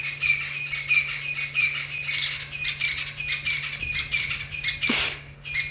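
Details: Francolins call back and forth near a resting lion pride on a live morning safari drive on 7 September 2016: a rapid series of harsh, grating notes repeated about every two-thirds of a second, with a steady low hum.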